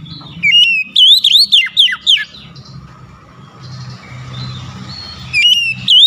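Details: Loud, clear phrase from an oriental magpie-robin: a flat whistle then a run of looping slurred notes, a pause filled with faint chatter and rumbling hum, then the phrase begins again.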